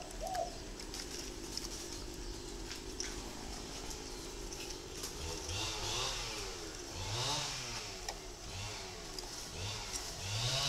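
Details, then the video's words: Caged wild-caught spotted dove, kept three years, singing a loud, deep coo of four full notes and one tail note; soft low hooting coos repeat from midway on, under steady background hiss. "chim rừng 3 năm thổ gáy đủ 4 hậu 1 to dầy cườm"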